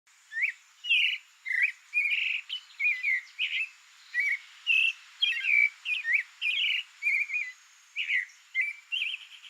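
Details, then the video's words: Creamy-bellied thrush, a free wild songbird in natural habitat in Brazil, singing a steady run of short warbled phrases around mid-high pitch, varied slurred and rising notes roughly twice a second, faint high insect hum behind. "SOUNDS of CREAMY-BELLIED THRUSH (TURDUS AMAUROCHALINUS, SABIÁ-POCA, Bone-billed thrush, Songbird."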